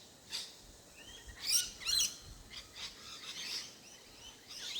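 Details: Wild rosella in Australia giving short, high chirps and thin whistled notes at irregular intervals, roughly two per second, with a few louder bursts near the middle, over quiet outdoor background.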